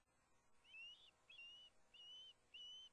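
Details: Osprey at the Hellgate nest camera in Montana, September 2, while the male delivers a large fish to the nest. Four thin, whistled, slightly rising notes are spaced about half a second apart over a faint hiss.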